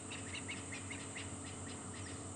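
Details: Francolins at Djuma/Arathusa, South African bushveld, afternoon of 30 November, give harsh, scratchy notes in quick ragged bursts over a constant high cicada buzz, with a low engine rumble underneath.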